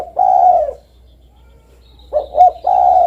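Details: A spotted dove ends one long, mellow coo, pauses, then starts a new phrase: two short rising coos followed by another sustained soft coo.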